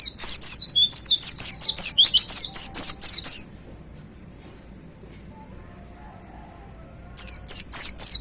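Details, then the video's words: In its hanging cage, a white-eye pours out a 'tembakan' burst: about three seconds of rapid, very high, slurred twittering notes, a long silent gap, then a second fast burst. "Suara Tembakan Dahsyat Pleci Gacor Paling Digemari Para Plecimania Digantangan"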